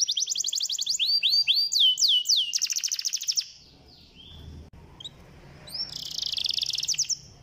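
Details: Canary song for encouraging a reluctant canary to sing: rapid trilled notes and looping downslurs for about three seconds, a quiet gap with low background noise, then a softer buzzy trill.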